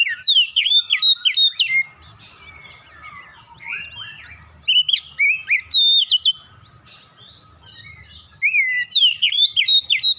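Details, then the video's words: Oriental magpie-robin singing as a lure to get other birds singing: loud bursts of quick slurred and upswept whistles lasting one to two seconds, alternating with softer gaps; steady low hum behind. "PANCINGAN KACER langsung latah ikutan gacor"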